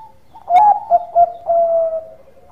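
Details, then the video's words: One phrase of mellow zebra dove (Bangkok perkutut) lure song: a strong ringing first note, two brief coos at the same low pitch, then a sustained even coo fading out. "Perkutut Bangkok Gacor Suara Santai tapi Merdu Pancingan"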